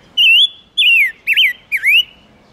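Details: Silver-eared mesia singing, a recording played as a lure for wild birds: four loud whistled notes, the first rising, the next falling, the last two dipping sharply then sweeping up, given in quick succession.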